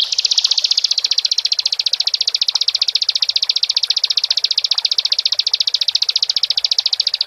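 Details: Long, unbroken trill of a persistently singing Bar-winged prinia, shrill high chip notes repeated rapidly and evenly for over seven seconds.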